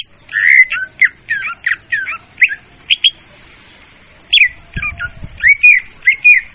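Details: Leafbird lure sound used for bird trapping, described as clear and loud: a rapid run of chattering, squawky notes over the first three seconds, a pause, then sweeping whistled and chirped phrases with a brief low thump.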